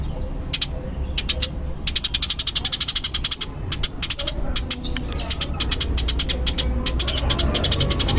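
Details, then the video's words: Fighting-type ('tarung') Eurasian tree sparrow calling loudly and rapidly. Long strings of high, clipped chips follow one another almost without gaps, speeding into dense rattling runs with brief breaks. "Suara Burung Gereja Tarung Kencang dan Rapat"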